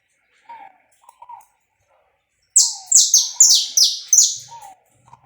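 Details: Saffron finch singing live, uncut, as a warm-up recording for a bird: a few quiet chirps, then a loud string of six or seven bright notes, each sliding sharply downward, delivered in quick succession.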